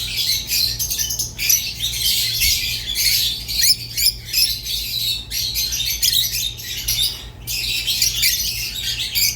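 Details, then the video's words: Rosy-faced and Fischer's lovebirds kept as pets chattering steadily, harsh squeaks and chirps packed into long bursts separated by a few brief pauses. "تغريد ولا أروع | روز و فيشر غندور بصوت ساحر وممتع"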